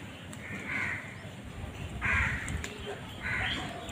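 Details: Crows fighting for food give three drawn-out, harsh, nasal caws about a second apart, with a constant low background hum.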